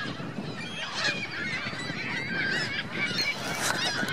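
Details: At Virginia Lake in Reno, geese with their goslings call in a dense chorus of harsh, nasal honks, steady throughout with no quiet gaps, over low background noise.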